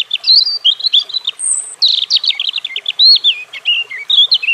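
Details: European robin with a continuous tumbling warble: thin high whistles, quick rattled trills and sweet varied notes following one another without pause.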